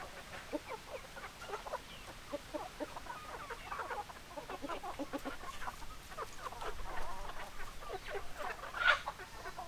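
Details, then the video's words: Hens clucking steadily: many short, evenly spaced clucks from several birds across the whole recording, ending with a sharp squawk near the end. "Chicken Sounds Noises Hens Clucking Roosters Crowing"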